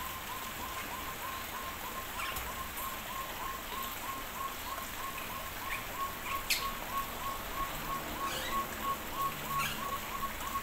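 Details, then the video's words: Crested partridge in an aviary, calling: a steady run of short, level whistled notes repeated about three times per second for the whole stretch. A constant hiss like rain and a few faint higher chirps sit behind it. "puyuh hutan/gonggong bersuara merdu"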